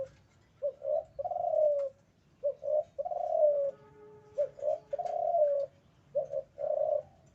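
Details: Male spotted dove in breeding condition, cooing in repeated three-part phrases: two short low notes then a longer note that falls at the end, about four phrases, with a faint tonal hum in the background.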